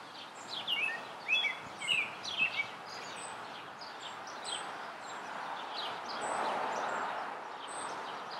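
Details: American robin singing in a tree: a quick run of short whistled, slurred phrases near the start, then fading into steady broadband background noise for the rest.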